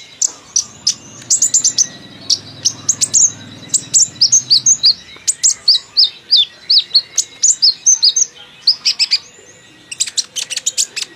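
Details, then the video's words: A sunbird chatters in quick bursts of thin, high, sharp chirps, several per second, with brief pauses between runs and a faint low hum early on. "Konin ceriwis isian keluar"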